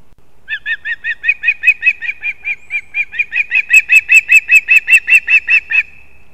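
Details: Osprey chicks compete at a nest in an old leaning pine in Kurzeme, Latvia, on 11 September 2024, giving a long, rapid series of clear, high whistled chirps, about two or three a second, growing louder toward the end before trailing off.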